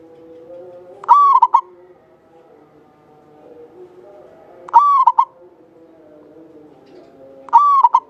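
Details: Active local Javanese zebra dove with a long, clear song used to draw out other singers. It gives three coo phrases about four seconds apart, each a sustained note ending in two quick short notes. Faint background tones run beneath.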